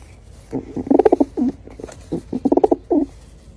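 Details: Pigeon giving low, soft coos in two short phrases, each a quick run of throaty pulses ending in a longer rolling note, with a brief pause between them.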